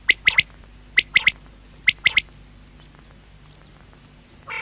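A quail gives sharp, clipped three-note calls, repeated three times about once a second, over a faint low hum.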